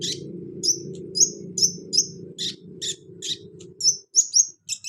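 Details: Sunbird (kolibri ninja) singing to encourage a reluctant caged bird: high, thin whistled notes and sharp chips repeated about every half second, over a low hum that stops near the end.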